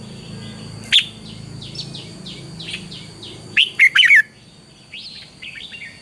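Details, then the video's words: Red-whiskered bulbul giving morning lure song for training birds: soft scattered chirps, then a loud burst of warbled, sliding notes near the middle and quieter phrases after. A constant thin high-pitched whine sounds in the background. "luyện chào mào hót sáng, Hót hay KÍCH BỔI NHANH CĂNG LỬA, Cách luyện chào mào hót căng lửa"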